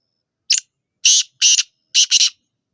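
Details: Black francolin calling, in the Sindhi style: four harsh, grating bursts, the later ones doubled, delivered in a quick phrase of about two seconds against clean silence.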